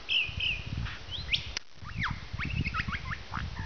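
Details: A lyrebird about an hour from Melbourne, Australia, mimics a squealing piglet and the snort of a wild pig with low, rapid grunting bursts, mixed into its usual repertoire of sharp whistled notes and quick chirps sliding up and down.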